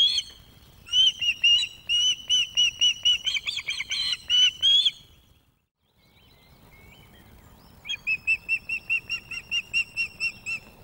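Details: Osprey female NC0 at Loch of the Lowes webcam nest, 2024, food begging to a young male who brings fish; a run of loud, rapid whistled pips, a brief silence, then another fast, even series.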